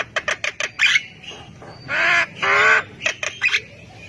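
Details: Javan myna singing actively to prompt other mynas to answer: quick clipped notes, then long grating buzzy rasps, then more short sharp notes and a thin whistled slur.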